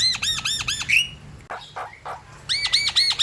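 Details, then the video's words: Javan myna song meant to draw in other mynas: rapid trains of ringing, looped whistles with a rising squeal, broken by a few rough, raspy notes before the looping whistles return. "Jalbo gacor | Coba,.Untuk pancingan burung jalak kebo ombyokan dan bahan"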